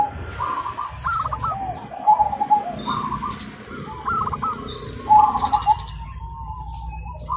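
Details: Morning chorus of zebra doves answering one another: soft cooing phrases of clipped rapid notes and gliding coos, repeated every second or so, with faint high chirps and low rumble behind.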